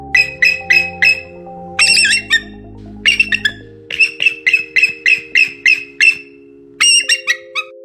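Bald eagle giving high, thin chittering calls in quick stuttering bursts of several notes, over steady background music.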